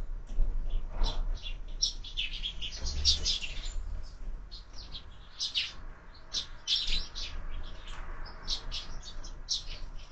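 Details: Several sparrows at a window-mounted feeder, eating breakfast, chatter in rapid, overlapping chirps and tweets, busy throughout with a few brief lulls, low hum underneath.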